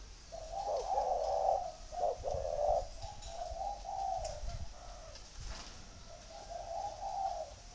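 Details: A spotted dove from a bird farm in Ba Vì, Hanoi, Vietnam, said to have a "thổ"-style voice, gives soft, low, husky coos in a run of rounded phrases with brief pauses, over faint background hiss.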